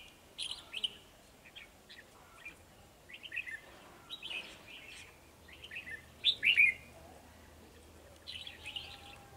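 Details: Red-whiskered bulbul males, two of them, challenging a decoy at a trapping spot on 9 December 2020; scattered short whistled phrases over nine seconds, strongest sharp twittering near the six-second mark, quiet gaps between.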